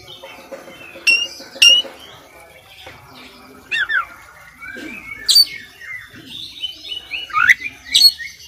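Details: Oriental magpie-robin in vigorous tutoring song packed with varied fill phrases: scattered whistled slurs and sharp chirps rising and falling at high pitch, separated by quieter gaps, with faint background chatter.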